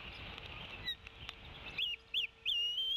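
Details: Female Bald Eagle at the Decorah nest, tea kettling loudly as she arrives and presses toward the male feeding eaglets. After a noisy, muffled start come three short squeaky rising-falling notes in quick succession, then a thin, higher held whistle.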